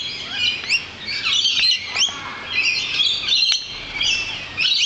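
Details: Flock of lorikeets outside a balcony, giving dense, overlapping shrill screeches and chattering squawks, high-pitched and continuous, with louder bursts every second or so.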